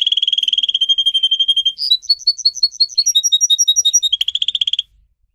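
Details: Training-song canary in full voice: a fast, even trill for nearly two seconds, a chain of repeated bouncing notes, a brief buzzy roll, then silence.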